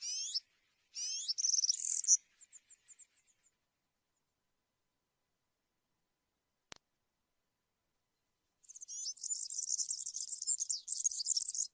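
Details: European serin in campero song style: opening high slurred notes and a quick twitter, a fading run of tiny ticks, a long pause with one click, then a fresh burst of sizzling high jingling song.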